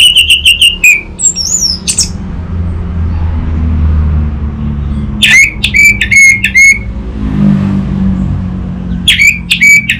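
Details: Orange-headed thrush, an adult bird kept in a cage, sings loud clear whistled phrases around a steady pitch in short bursts separated by pauses, with a car and a low motor hum in the background.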